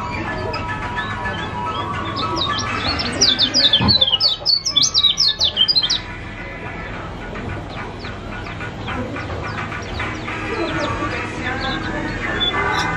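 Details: Lively Lombok white-eye (kecial kuning) used as a lure to get a quiet bird to open its beak: a quick run of high, sharp, slurred chirps for about three seconds, then softer chatter over a constant background hum.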